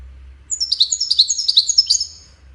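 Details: Widani-style song of a European goldfinch, used as a tutor recording for chicks: a quick, even string of sharp, high chirping notes about every tenth of a second for one and a half seconds, then quiet.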